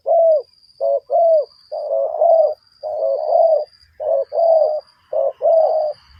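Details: Spotted dove cooing as a lure for trapping other doves: low mellow coos in rapid repeated bursts, close to one per second, with a steady thin high whine running through the background.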